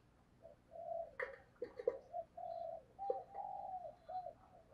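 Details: Caged decoy spotted dove cooing to lure wild doves. Soft, low coos sound in a broken run over steady background hiss, with a few sharp clicks and knocks.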